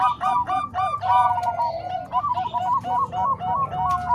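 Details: Combined Bangkok and Cemani Kolbuntet zebra dove voices for training other doves; rapid overlapping coos in short rhythmic bursts, mellow and slightly wavering, repeated about three times a second.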